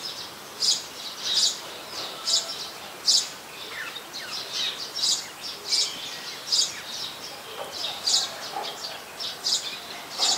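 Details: High, piercing chip calls of an olive-backed sunbird in mangrove forest at the Sirinart Rajini centre, repeated rapidly and continuously, several per second in bursts, with softer twitters between and a constant faint hiss behind.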